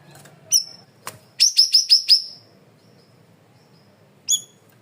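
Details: Loud, clear masteran recording of a cream-vented bulbul (cucak rawis): a single sharp note, a click, then a rapid run of five identical high ringing whistles, and one last bright note after a pause.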